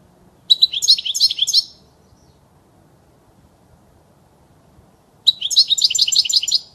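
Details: European goldfinch song for teaching young birds to sing: two long fast runs of bright tinkling, twittering notes, each lasting over a second, separated by about three seconds of silence.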